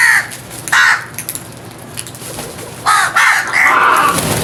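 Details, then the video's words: Loud crow cawing: a harsh, raspy caw, another after a short gap, then a rapid burst of overlapping coarse caws that run together at the end. "All types of Crows Sounds | Crows loud noise | Crows Crowing"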